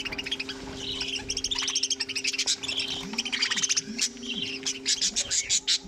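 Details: A budgerigar colony shared with cockatiels: dense, rapid chirping and buzzy warbling from many birds runs almost without pause, over a constant low hum.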